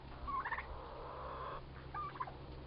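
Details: Two young male turkeys, toms about four months old, fighting; two short squeaky rising yelps about two seconds apart over a steady low hum.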